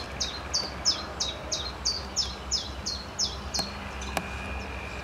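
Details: Common chiffchaff, restless in a black locust at a pond on the Fûgelhelling, preening and singing by turns: a steady series of about a dozen bright, high, descending notes, roughly three a second, with two sharp clicks and a constant low background hum.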